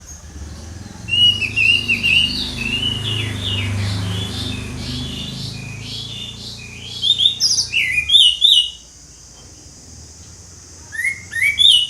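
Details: Orange-headed thrush singing in the ngeplong style: varied whistled phrases of sliding notes, then rapid high twittering bursts separated by short pauses, over a low humming background.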